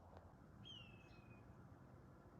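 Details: A Red-tailed Hawk, somewhere in the distance on a mild, clear late-December day on Cape Cod, gives one hoarse, high scream sliding downward over nearly a second, over a steady low rumble of wind or distant traffic.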